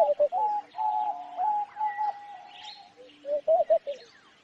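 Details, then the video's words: Cooing homing pigeon: quick pulsing warbles open into a long, even, hollow tone, followed by another cluster of throbbing notes. Other birds chirp and tweet softly behind. "Sound of Homing Pigeon"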